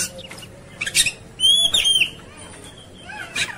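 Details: Oriental magpie-robin, agitated and ready to fight: a few scratchy notes, then a strong clear whistled phrase with slurred ends, and a final harsh buzzy burst.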